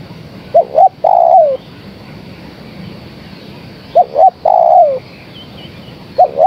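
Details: A calling female spotted dove summoning the male repeats her phrase twice: paired short coos and a long descending note. A third phrase begins at the end.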